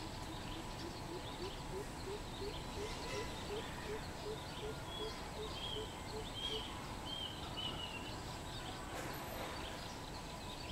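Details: Low, hollow hoots of a greater coucal, recorded 13 June 2020, repeat quickly for about six seconds and then stop, followed by short whistled notes from other birds over background hiss.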